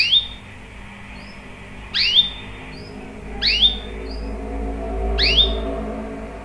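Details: Canary in full voice, used as a lure to get other canaries singing along; sharp swooping chirps with a brief high note after each, repeated roughly every one and a half seconds over a low background hum.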